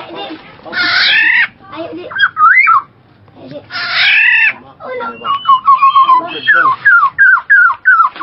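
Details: Black-naped oriole giving two harsh, nasal, drawn-out calls about three seconds apart, mixed with short slurred whistles, ending in a run of quick descending whistled notes repeated roughly every half second.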